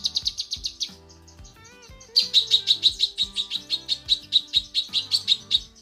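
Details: Female cucak kinoi calling for the male: high chirped notes, a short slurred whistle, then a long even run of bright staccato chirps, about three per second, with faint low droning tones beneath.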